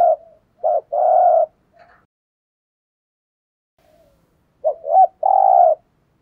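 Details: Decoy spotted dove calling to provoke wild doves: two low cooing phrases, each a short note, a brief rising coo, then a long buzzy, throaty coo, separated by about three seconds of quiet.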